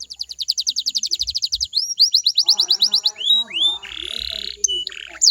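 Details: Canary singing to coax other canaries into song: a fast high rattle-like trill, then a series of clear descending sweeps, a couple of rising whistles, and a harsh buzzy burst with scattered squeaks.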